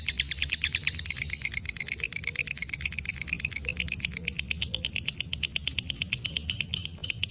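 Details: Fighter lovebird in breeding condition delivering long ngekek chattering: a dense, fast, buzzy series of shrill notes keeping a steady rhythm from start to finish, with soft low background noise.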